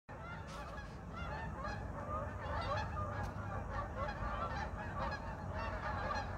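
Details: Geese flying overhead in winter without snow in North Idaho, Pacific Northwest, moving back and forth: a dense, continuous chorus of overlapping nasal honks from a large flock, with steady low rumbling background noise.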